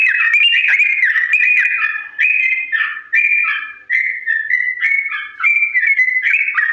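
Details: Sooty-headed bulbul singing a long, slow ropel, used as a model for imitation: rolling whistled notes with slurs, grouped into short bursts separated by tiny gaps, then flowing into even, stepped whistles.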